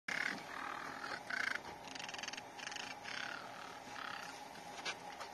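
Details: A sub-adult Crested Caracara calls in an unusual way: harsh, grating, rasping bursts, several in quick succession, over a thin steady high-pitched hum.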